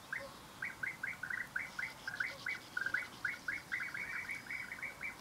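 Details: European bee-eater calling with a run of short, rolling, purring notes, spaced at first and then speeding into a continuous chattering series toward the end, with faint higher twitters of other birds behind.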